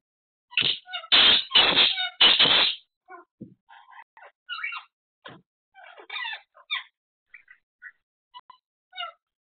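Black francolin giving three loud, harsh, grating notes in about two seconds, then a string of softer, scattered chirps and clicks.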